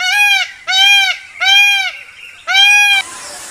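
A peacock gives four loud, nasal, trumpeting wails in quick succession, each about half a second long, followed by a brief burst of hiss.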